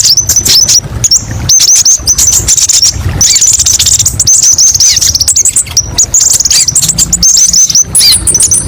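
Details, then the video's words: Brown-throated sunbird, locally kolibri ninja, sings a masteran of varied sharp phrases: high hooked chirps repeated rapidly, long buzzy twittering runs, and short pauses between bursts. "TERAPI BURUNG KOLIBRI NINJA: BANYAK VARIASI TEMBAKAN PEDES & MASTERAN KONIN PALING DICARI"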